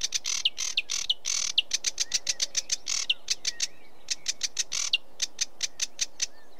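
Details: Sedge warbler song made of harsh grating buzzes and short whistled slurs that give way to a steady series of dry ticking notes, about four per second.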